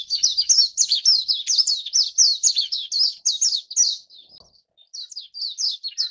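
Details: A Japanese white-eye (Zosterops japonicus) feeding its chicks at the nest gives a rapid run of thin, high chirps, about four each second, with a brief pause before the chirping resumes; warbling white-eye.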